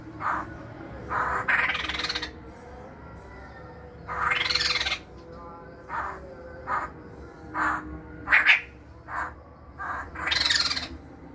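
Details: Masked laughingthrush, called poksay hongkong, a kept cage bird once popular in the 1990s: harsh, raspy, broad bursts of varying length, some long and some clipped, separated by short pauses, over a constant low electrical hum.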